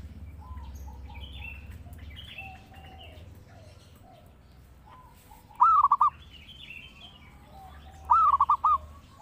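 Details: Zebra dove, an actively singing bird used as a lure and master song for training other birds: two loud phrases, each a drawn-out first note followed by quick rolling coo notes, spaced about two and a half seconds apart over softer chirping birds.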